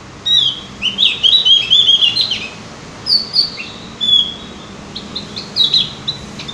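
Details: Javan grey-throated white-eye (opior jawa) on a lure recording for prompting singing: a two-second stream of fast high twittering, then short chirpy bursts about every second.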